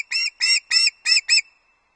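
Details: Osprey calling while delivering early breakfast to its Loch Arkaig nest on 31 August 2022, five harsher, drawn-out whistled yelps spaced about a quarter second apart, the last one shorter.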